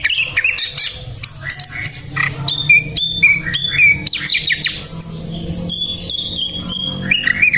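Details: Sikatan londo flycatcher in lively song, pouring out quick chirps, trills and clear high whistles that slide up and down, with steady flat notes toward the end over a low background hum.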